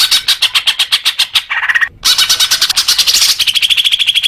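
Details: Greater green leafbird song aimed at encouraging caged birds to sing: quick rhythmic chattering notes, a short lower whistled phrase, a brief gap, then renewed fast chatter ending in even ticking.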